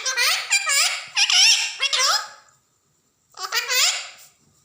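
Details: Angry pet ring-necked parakeet, a talking bird kept indoors: a rapid run of harsh, chattering screech notes with rising and falling inflections, a short silence, then a second burst of the same grating calls.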